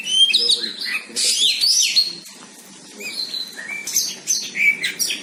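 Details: White-rumped shama singing against a rival: bursts of sharp upslurred whistles and buzzy sweeps, a brief quieter gap, then renewed rapid phrases.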